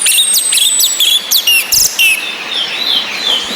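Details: Orange-headed thrush whistles set against rain to stimulate males: a long thin very high whistle under rapid chirps, then a string of sharp notes and softer warbling whistles fading out, with rain hiss throughout.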